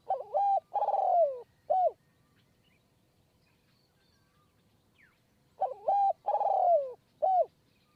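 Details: Perched spotted dove in high forest at Kanchanaburi, Thailand, recorded during decoy trapping, giving a long cooing sequence. Two soft, hollow coo phrases of three or four notes, with a drawn-out falling middle note, separated by a pause of several seconds.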